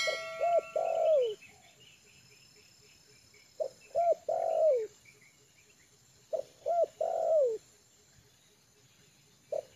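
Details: Trained spotted dove at ease on open ground, calling as a lure. Three phrases of clipped notes lead into a long, sliding, descending coo, with quiet rapid ticking pulses in the pauses.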